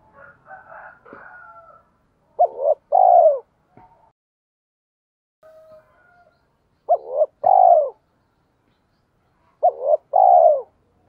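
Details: Spotted dove used as a lure call for bird trapping: short loud paired coos around 600–900, in three bursts spaced a few seconds apart, with fainter softer cooing between them.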